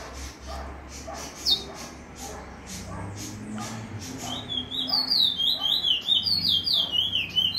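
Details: Bullfinch in free singing, delivering rolls: after a stretch of spoken talk, a quick high twittering warble starts about halfway through and carries on steadily to the end.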